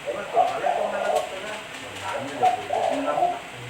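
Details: Lure recording of a spotted dove: two low, throaty, rolling coo phrases with a short pause between them, over quiet background hiss.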